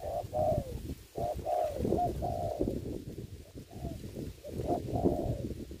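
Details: Decoy spotted dove used for ground trapping in the COVID-19 season. Rounded coos in quick succession, some longer and falling, sound over constant low rumbling and scattered clicks.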